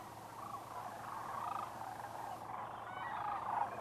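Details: Wintering flock of sandhill cranes at Whitewater Draw Wildlife Area, southern Arizona, over 20,000 birds. A continuous low murmur of overlapping rolling calls, faint and blended, swelling slightly toward the end.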